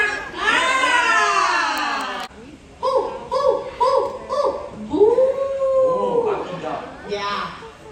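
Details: Captive parrot at Safari World in Bangkok talking: a long harsh screechy note, then five evenly spaced laugh-like syllables, then a drawn-out falling whistle-like call and a final raspy burst.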